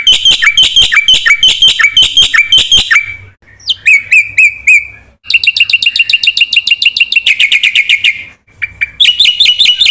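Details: Black-winged myna song with varied 'isian', used to coax and teach reluctant singers: rhythmic strident phrases, slurred whistles, dense rapid chattering trills and a final bout of harsh repeated notes.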